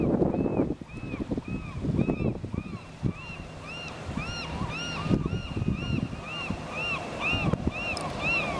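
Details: Canada geese in Vancouver give repeated short, arched honking calls that overlap throughout, over gusty wind, lapping water and a brief voice at the start.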